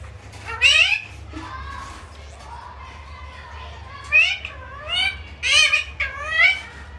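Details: Talking pet parrot saying "mummy": short squeaky, speech-like phrases with sliding tones, spaced by pauses, over a low steady hum.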